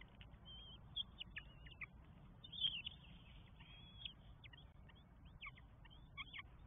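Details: Northern goshawk nest in Estonia on 24 May 2022, an adult feeding four chicks; sharp, high whistled calls come in irregular bursts, some rising or dropping, over a steady low background hum.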